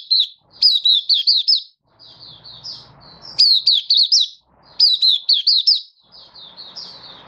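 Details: Malaysian white-eye (mata puteh) in happy open song during stable, warm, sunny Singapore weather, 20 March 2023; three bursts of rapid, high, rising-and-falling whistles, with gentle twittering between them.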